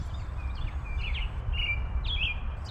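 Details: In spring at Little Creek nature area, St. Louis area, an American Robin sings its happy-sounding song, short clear caroling phrases about every half second, faint under a steady low rumble of wind and outdoor noise.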